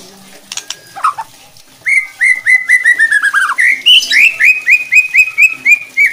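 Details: Loud white-rumped shama song meant to stir rival shamas into aggressive singing: a few sharp clicks, then a long run of rapid, evenly repeated clear whistled notes, briefly dipping lower before climbing and continuing the steady series.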